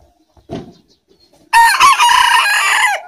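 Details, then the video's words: Domestic rooster, Aseel or black bantam, crowing in a crowing competition between the two breeds: after a brief low knock, one loud harsh crow bursts in, rich and buzzy, held steady for about one and a half seconds before dropping off. "aseel and black bantam || sound to sound || اصیل مرغا اور بلیک بانٹم مرغا مقابلہ"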